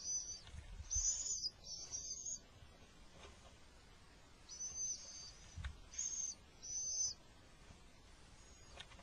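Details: Spring recording of little owls as the male succeeds in delivering food during an attack; clusters of high, drawn-out hissing shrieks in two bursts, separated by a quiet gap, over soft low noise.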